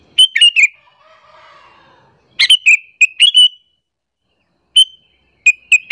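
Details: Sooty-headed bulbul calls for luring other bulbuls into aggression: rapid chirp clusters with a soft low buzzy rasp early on, then scattered single bright notes toward the end.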